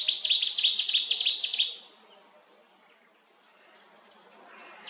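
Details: Cetti's warbler at Lake Kerkini, Greece, 2022, a small, inconspicuous bird hidden in bushes. A very loud, explosive burst of about seven sharp, rapidly repeated notes lasts under two seconds, then near silence with two faint chirps.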